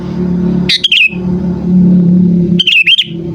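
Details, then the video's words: Sooty-headed bulbul used for luring birds: two quick bubbly whistled bursts about two seconds apart, set against a loud, steady engine-like drone. "Suara Burung Kutilang Memanggil Sekali Dengar Langsung Ikutan Bunyi"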